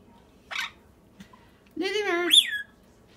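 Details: Rainbow lorikeet (Trichoglossus moluccanus), a very social classroom pet that squawks constantly for attention, gives a brief harsh chirp, then a drawn-out, throaty squawk sweeping sharply upward at the end, indoors in a quiet room.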